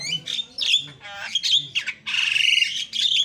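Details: A Javan pied starling in full song pours out a rapid jumble of harsh squawks, bright whistles and rattling chatter, packed tightly together with barely a pause, used to provoke other starlings.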